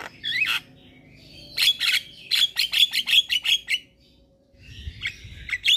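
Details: Javan myna singing to provoke other mynas into singing: a sliding whistle, then a rapid run of sharp, harsh clicking notes about five per second, a short pause and a thinner whistled phrase with clicks.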